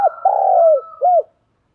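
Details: Spotted dove used as a decoy for young birds: the tail of a cooing phrase, one long raspy coo falling in pitch and a short rounded final coo, over a faint higher whistle.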